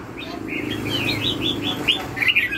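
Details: Red-whiskered bulbul singing "lân hầu bò" style: a clear run of evenly spaced whistled downslurred notes, ending in quicker sharper chirps.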